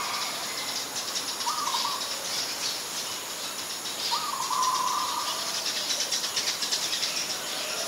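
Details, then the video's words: Ashy Woodswallow, a very common resident, recorded at Ubon Ratchathani, Thailand, on 25 February 2022: two short mid-pitched calls, the second longer and slightly wavering, over steady hiss and a broad background of high insect-like noise. "นกแอ่นพง : Ashy Woodswallow"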